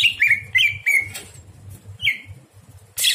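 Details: Greater green leafbird at night, song used to train other birds: a few slurred whistled notes and chatter, then a rising whistle, over a steady low hum.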